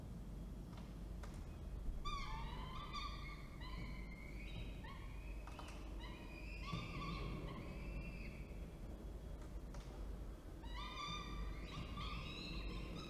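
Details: Falcon pair at Orange, New South Wales, on 19 October 2024, male arriving with prey while the female feeds: repeated series of strained, wailing harmonic calls with slight downward bends, several bursts across the clip over constant low hum.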